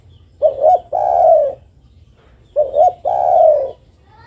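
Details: Female zebra dove calls to a male with two identical phrases, each made of paired short upturned notes and then a sustained soft coo.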